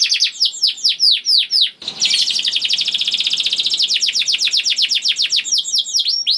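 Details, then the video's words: Canary song meant to stimulate other canaries, sung by a young bird: fast downslurred whistles, then after a sudden break a long dense high trill with steady background hiss. "PANCINGAN KENARI PAUD"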